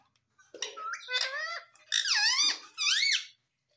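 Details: Indoor pet Indian ringneck parakeet talking, saying "mummy": a run of nasal, bending parrot syllables, the last two loud and arching, rising then dropping in pitch.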